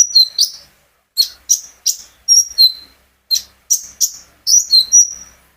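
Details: Olive-backed sunbird, recorded from its owner's own bird as a singing lure: separate high, sharp chirps with a downward twist, spaced about a third of a second apart in short groups, in quiet surroundings.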